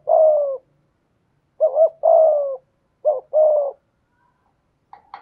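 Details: Low cooing from a decoy spotted dove of the 'thổ' voice type: one long falling coo, then two phrases each made of a brief double hoot followed by a longer sliding coo, spaced about 1.5 seconds apart.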